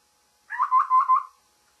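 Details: A babbler's call at morning, four coarse, nasal syllables in rapid sequence, level in pitch and equally loud, over a still, quiet background.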